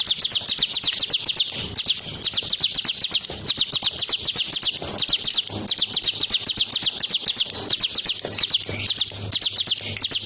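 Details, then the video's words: Bar-winged prinia, a tame bird handled with fingers, sings eagerly in a long, busy series of high piercing chips repeated quickly and steadily, with only brief breaks. "CIBLEK gacor jinak di mainin pake jari tangan langsung nembak suara nya"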